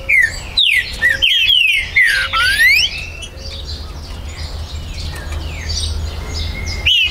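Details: Territorial green-winged saltator at a breeder's premises in Brazil, 19 September 2020: a rapid run of loud, ringing whistled notes, each sliding steeply down, for about two seconds, then quieter background chirping from other birds and a final loud note.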